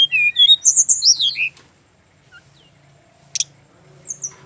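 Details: Brown-chested jungle flycatcher, a male from Bali, giving a brief run of descending whistled notes that ends in a slurred squeak. Near-silence follows with a few isolated chips, over a low background hum.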